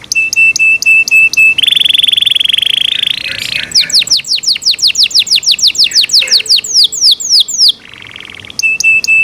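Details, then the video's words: Loud song of a Yorkshire canary: high repeated clicking notes, a long buzzy trill, then a steady run of falling whistled sweeps, a softer buzzy passage, and the clicking notes again. "Yorkshire canary Nice sound"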